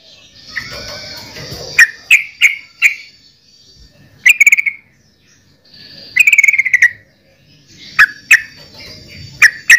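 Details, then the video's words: Yellow-vented bulbul giving scattered short bubbly notes and brief rattled bursts, spaced by pauses, over faint background hiss. "Suara Burung Trucukan"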